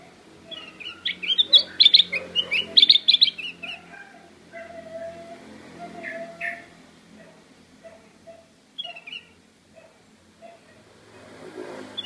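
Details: Black-crested bulbul calling loudly in rapid bursts of sharp, high chattering notes during the first four seconds. Scattered single chirps and lower whistled tones follow over the remaining eight seconds.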